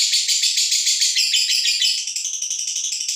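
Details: Female fighter lovebird in ngekek style, a call meant to provoke other birds, delivering a fast, high, rattling trill of rapidly repeated chattering notes, steady throughout and shifting slightly lower after two seconds.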